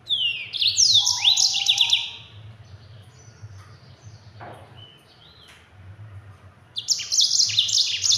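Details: Caged yellow-fronted canary (Mozambique) in lively form, delivering a fast, dense rolling song meant as a tutor recording for other songbirds. Two bursts of high, buzzy trills and sweeping notes are separated by a quieter stretch of thin scattered notes, over a steady low hum.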